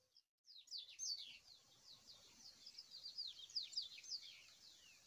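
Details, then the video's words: Coleirinho (double-collared seedeater) in the wild, singing the 'mateiro' song: a steady stream of high, rapid chirping slurs and sharp down-swept notes after a brief silent gap, over a soft hiss. "Esquenta qualquer coleirinho com esse canto mateiro"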